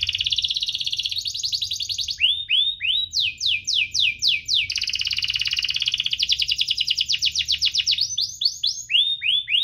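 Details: Energetic canary song with chirps and rolls, played to stimulate reluctant canaries to sing: rapid buzzy trills alternate with series of arched, downward-sweeping whistles, each phrase repeated several times.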